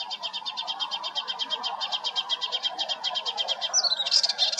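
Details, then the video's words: Singing melodious warbler recorded at Hegenheim, France, June 2023: a quick run of evenly spaced high buzzy pulses, about six per second for nearly four seconds, breaking into a brighter jumble of varied notes at the end, over a steady low background hum. "Melodious Warbler - Orpheusspötter - Hippolais polyglotta - singing"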